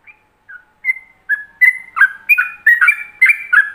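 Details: Master recording of yellow-vented bulbul ropelan song for other bulbuls to learn: scattered whistles speed up into a quick run of bright, looping two-tone notes, getting louder toward the end.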